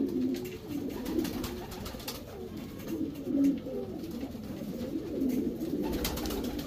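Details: Domestic Racing Homer pigeons in a loft breeding section, their deep rolling coos blending into a continuous murmur broken by clicks and a louder thump near the end.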